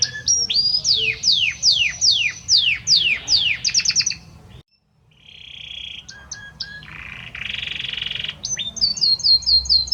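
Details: Male Belgian canary singing to his mate: a string of loud downward-sweeping whistles about two per second, a quick rattle, a brief silence, then buzzy rolls and a high chattering trill.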